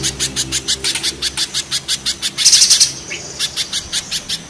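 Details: Spiderhunters, a mountain spiderhunter set against a banana spiderhunter, in a harsh, rough style: sharp, high chips repeated rapidly and evenly, with a brief denser burst of notes midway and a faint low hum beneath.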